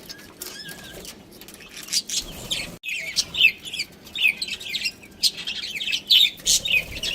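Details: Pet budgerigars from a breeding pair chirping: rapid high twitters and scratchy warbles in loud bursts, quiet at the start, then lively overlapping chatter after a short gap.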